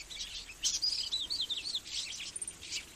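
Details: Magnificent sunbird uttering a rapid, high twittering phrase of wavering, warbled notes with buzzy edges, continuous for nearly three seconds.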